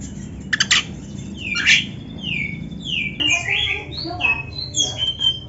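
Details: Oriental magpie-robin song used as a training recording for caged birds: scattered whistled sweeps and sliding notes, some descending, mixed with short harsh bursts over a noticeable low background rumble.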